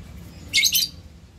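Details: Black-capped lory during mating gives two quick, harsh, screechy notes in close succession, high and grating, over a faint low background hum.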